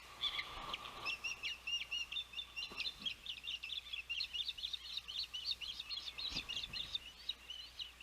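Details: Osprey at a Savannah nest on a windy June 12, 2021, during the oldest chick's first fledge; high, rapid chirps repeat continuously and unevenly for the whole stretch over a soft background of wind.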